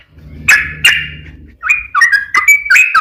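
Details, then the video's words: Yellow-vented bulbul song used as a lure to make other bulbuls sing: two harsh, broad bursts, then a quick run of short, liquid whistled phrases, each bending up and down, over a low steady hum. "trucukan gacor ROPEL PANJANG buat pancingan trucukan agar bunyi"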